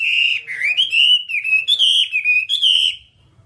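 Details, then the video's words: Whambie, recorded as long-duration song for tutoring caged birds: a continuous wavering whistled phrase that dips and rises, rich in harmonics, lasting about three seconds before fading to quiet. "Masteran Whambie nonstop 1 jam"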